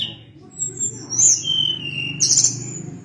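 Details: Sunda blue robin, called tledekan gunung, giving high whistled notes and a long gliding descending whistle, set against a loud continuous low rumbling background.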